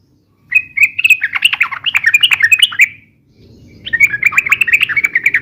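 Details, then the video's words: Sooty-headed bulbul song for luring and tutoring, described as long and rapid: a dense chattering, warbling phrase lasting over two seconds, a brief pause, then another busy run over a soft low hum. "SUARA BURUNG TRUCUKAN RIBUT UNTUK PIKAT DAN MASTERAN ,SUARANYA ROPEL DAN PANJANG"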